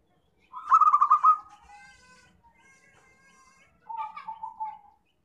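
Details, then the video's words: Zebra dove call used to lure birds into traps: one strong rapid rolling coo that fades into a long quiet tonal tail, then a softer, slightly lower pulsed coo phrase. "PIKAT PERKUTUT PALING AMPUH"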